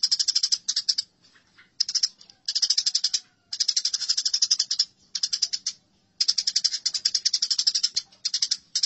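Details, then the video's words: House sparrows fighting, giving harsh, rapid chattering bursts of high, rasping notes. The bursts last about half a second to a second and a half, with short silent gaps between them. "Masteran Gereja Tarung"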